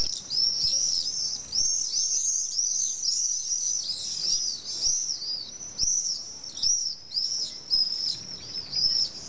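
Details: Common swifts at a nesting colony of about twenty pairs in drain holes of a huge retaining wall on a hill in Nice, France, on a mid-July evening. Dense, shrill, high screams come in rapid overlapping bursts throughout.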